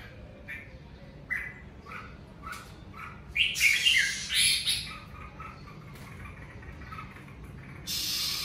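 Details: Red-whiskered bulbul during the covid season: spaced short whistled notes, then loud, buzzy, harsh bursts in the middle, softer notes afterward and a hissing noise at the end.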